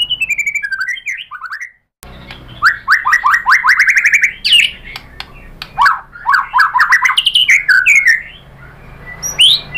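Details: White-rumped shama provoked to sing by a lure recording: rapid series of rising whistled notes, repeated in quick runs, mixed with sharp clicks and varied warbled phrases, loud and continuous.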